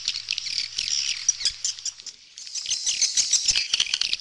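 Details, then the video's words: Swallows chattering together in a high, crowded twitter. There is a short lull midway, then a burst of clicky chirps. "เสียงนกนางแอ่น Swallow Sound"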